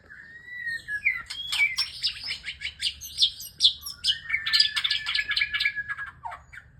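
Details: Male white-rumped shama courting a female, pouring out a rich, varied song of clear rising whistles, quick trills and sharp chirps in a tumbling, unbroken stream, with a sustained whistled note running beneath the busier phrases.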